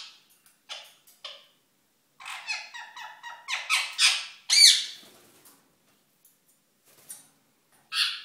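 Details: Pet ringneck parakeet in courtship, uttering scattered squeaks, then a fast chattering sequence of evenly spaced harmonic notes rising to a loud harsh screech, followed by quiet and a final squawk.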